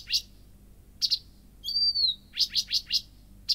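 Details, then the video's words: Night song of a Blyth's reed warbler, with dry clicking ticks, single and doubled, broken by one drawn-out high whistle that slides gently down, then a quick run of four ticks and more clicks. "How to identify a Blyth's Reed Warbler song at night?"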